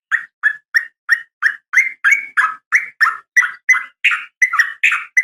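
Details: Sooty-headed bulbul female calling to males in the morning, a steady series of short, rich chirps repeated about three times a second. The notes grow louder and more varied toward the end.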